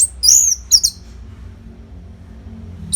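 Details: Non-stop orange-headed thrush training song for competition birds: two quick, high, slurred whistles within the first second, then near silence over a faint low hum until a new note starts at the end.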